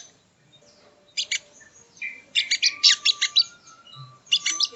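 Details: Sogo ontong (sogon) training song: a quiet start, then a few high chips and a thin whistled tone, building into fast bright twittering clusters.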